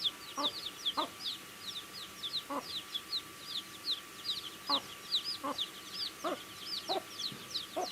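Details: Chicks feeding on food give a continuous chorus of thin high peeps, some rising then falling, crowded together, while low clicking taps sound at uneven intervals.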